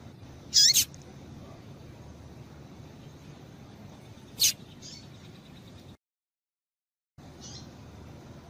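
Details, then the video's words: Female double-collared seedeater calling to stimulate males to sing: two short, sharp, very high chip notes about four seconds apart over a low steady background hiss, then a brief silence and another faint chip. "Piado de Fêmea de Coleiro para Esquentar Coleiro"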